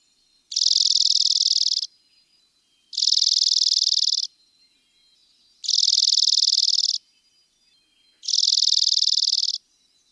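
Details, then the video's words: Dark-eyed junco chatter: very rapid, buzzy, high trills about 1.3 seconds long, repeated roughly every 2.5 seconds, four bursts in a quiet background with faint thin tones between them. "How does Black eyed Junco sound? | Bird Call | Chatter Sounds"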